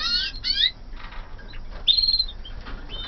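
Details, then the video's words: Canaries born in 2014 in a flight aviary give quick rising and falling whistled sweeps, then a short bright trill, with soft chirps between and a low background hum. "CANARIOS DE 2014 EN VOLADERA"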